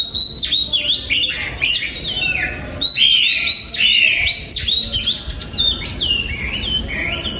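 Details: Captive oriental magpie-robin in a breeding aviary delivers rapid, rich whistled song: bright high notes, quick upward and downward sweeps, and scratchy twitters packed closely together, with brief pauses between bursts.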